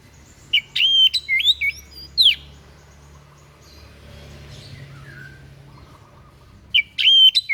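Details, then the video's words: Strange song of a white-breasted bird meant for song training: a short phrase of sharp whistled slurs and clicks at the start, a quiet stretch with faint distant notes, then the phrase returns at the end. "SUARA ANEH SI DADA PUTIH"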